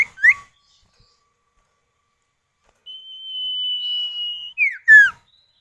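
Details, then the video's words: Male and female common iora exchange calls, played to make other birds join in. Two short whistles open, then silence, then a long steady high whistle. It ends in a few sharp downslurred notes. "Pancingan Burung Sirtu atau Cipow, suara jantan betina bersahutan"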